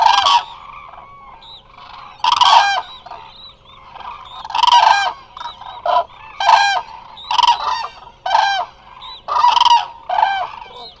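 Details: Eurasian cranes, many resting together at the Hula Nature Reserve in Israel, recorded by a remote live camera: loud, rich, rolling trumpet calls in bursts about every second, answered by quieter birds, with a low hum.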